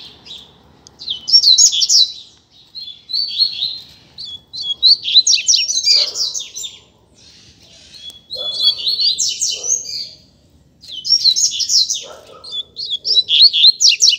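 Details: Loose double-collared seedeater in the street giving a teacher-style song: repeated high, rapid chattering phrases with sharp whistles, in four long bursts separated by short pauses, plus faint lower knocks.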